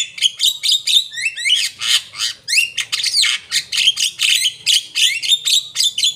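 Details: Asian pied starling pouring out a loud, continuous song of grating squawks, fluty rising slurs and chattering notes in rapid rhythm.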